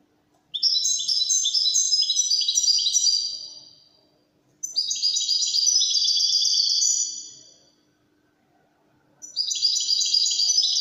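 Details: European goldfinch singing in the Wedani style, three bursts of fast liquid twittering and trilled notes, each lasting two to three seconds, separated by short silences; clean recording with no other sounds.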